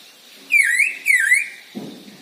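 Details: Black drongo male used as a singing lure for other birds, giving two loud, dipping, slurred whistled notes about half a second apart, with a soft rustle afterward.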